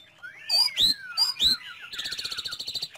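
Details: Song of a Chinese hwamei kept by bird fanciers: a long descending whistle, then two pairs of sharp, high whistled notes, followed by a fast, rattling trill of rapidly repeated notes.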